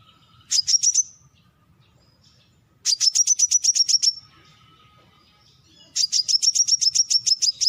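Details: Brown-throated sunbird repeating rapid trills of high, metallic chip notes, three bursts of roughly ten to fourteen notes each separated by about two seconds of near silence.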